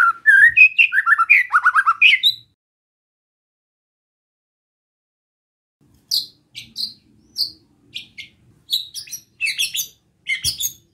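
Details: Relaxed besetan song of a White-rumped shama, used to provoke other shamas: a dense two-second burst of rich whistles, then a long silence, then high, thin chips and sharp notes scattered irregularly.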